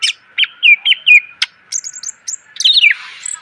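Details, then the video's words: Greater green leafbird tutor song for training cage birds, packed with varied phrases: clear descending whistles repeated three times, a sharp burst, then high sustained whistles and a quick tumbling warble ending in a soft rush. "MASTERAN CUCAK IJO SUARA PLONG!!! ..penuh isian.."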